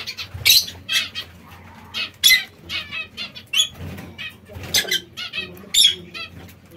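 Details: Zebra finches at seeds and fresh salad produce a rapid string of nasal, trumpet-like short calls, irregularly spaced, mixed with sharp fluttering noises and a quiet low background hum.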